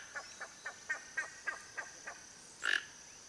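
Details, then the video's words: Wild toco toucan (Ramphastos toco) in Brazil giving a series of about nine short, hoarse croaking notes roughly every quarter second, ending in a louder rasping burst; a faint steady insect whine runs throughout. "TOCO-TOUCAN singing"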